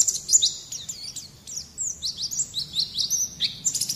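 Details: White-eye on a recording for teaching young birds to sing: a quick sequence of high, slurred, downward-curving whistles, repeated several times a second, over a soft low hum.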